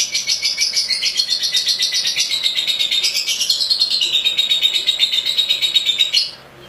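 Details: Lovebird singing a long continuous high chattering trill, rapidly pulsed about four times a second, and wavering slightly in pitch for six seconds before it stops abruptly.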